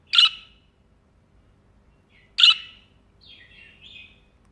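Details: Budgerigar sitting on a hand calls out with two shrill, abrupt chirps roughly two seconds apart, then a softer wavering warble trails off near the end.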